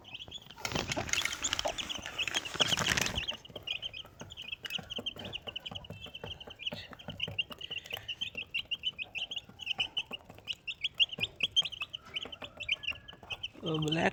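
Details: Desi chicken family, one mother hen with four baby chicks: a steady stream of high, thin peeps repeated rapidly throughout, with a loud rustling, scraping burst near the start and soft tapping in the background.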